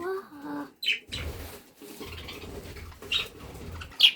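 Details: Pet budgerigars in Germany give short, bright chirps over a soft rustling, fluttering background.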